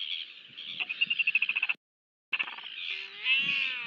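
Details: Royal albatross in New Zealand during chick feeding, 23 January 2023, on a nest webcam: a rapid run of about a dozen pulsed nasal notes, a short gap, then a drawn-out harmonic tone over steady hiss.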